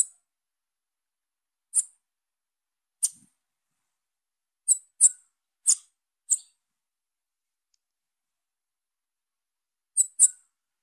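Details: Calls of a young female Bananaquit: roughly nine brief, very high-pitched tsip notes, single or in close pairs, irregularly spaced across eleven seconds of otherwise silent recording.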